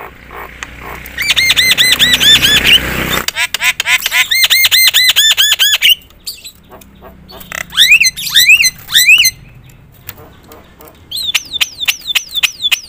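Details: Javan myna in loud, varied song aimed at provoking other mynas: long runs of fast looping whistles, harsh rasping bursts, rising upslurred whistles and a closing series of rapid swooping notes.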